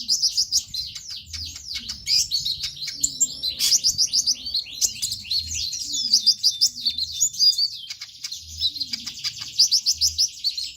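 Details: Sunbird pouring out a lively, high song used to encourage other sunbirds to sing: rapid tumbling chirps and trills packed closely, with a short, faster rattle near the end.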